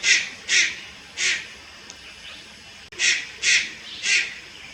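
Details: Young Malayan night heron at Lugu, 30 July 2022: six rasping, breathy shrieks in two groups of three, separated by a quiet gap of over a second.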